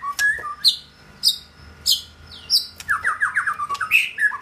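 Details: Indoor white-rumped shama, a male nearing his third molt, gives sharp high clicks and squeaks, then a quick run of rising whistled notes, with a faint steady hum behind.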